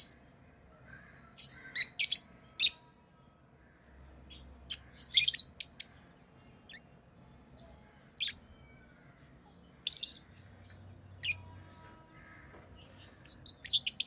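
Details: Lovebirds chirping, kept as tame pet birds: sharp, shrill high chirps in short clustered bursts, some doubled or tripled, separated by quiet pauses of a second or two, over a faint low background hum.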